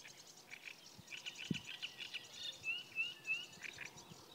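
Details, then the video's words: Great reed warbler song recorded beside the Kyjovka stream, Lanžhot, 15 May 2016: croaking, rasping phrases building into repeated squeaky whistled notes, then harsh chatters, with soft low knocks in the background. "Rákosník velký (Acrocephalus arundinaceus)"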